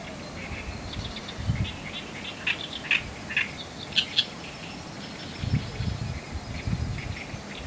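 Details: Oriental reed warbler (Acrocephalus orientalis) calling noisily among reeds near a swallow roost on 24 June 2020: harsh, grating chattering notes in short bursts, loudest mid-clip, over a steady low wind rumble.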